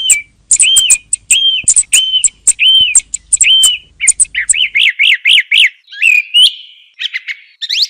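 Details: Song thrush repeating a sharp click paired with an arched whistle about six times, then switching to a fast series of rising-and-falling notes and some scratchy twitters at the end.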